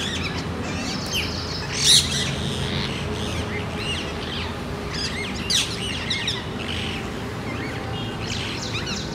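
Parakeets give a steady scatter of high, harsh chirps and screeches, with louder bursts now and then, over a low rumble of outdoor background noise.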